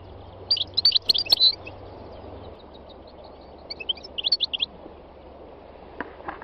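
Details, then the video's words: Rapid tinkling twitter from a wild European goldfinch, two dense bursts of bright high notes a few seconds apart, set against a low hum and soft background hiss. "chant chardonneret sauvage khalwi goldfinch تغريد مقنين خلوي"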